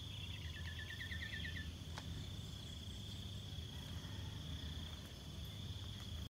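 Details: Common iora song used as a decoy to lure birds: a quick run of about eight short, evenly spaced notes early on, then only a steady high insect-like whine over low background hum.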